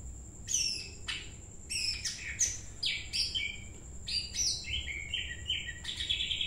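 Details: Greater green leafbird (Chloropsis sonnerati), a captive bird in training for singing contests, sings a fast, varied, continuous run of sharp high whistles, chips and falling slurred notes, with a steady thin high tone behind.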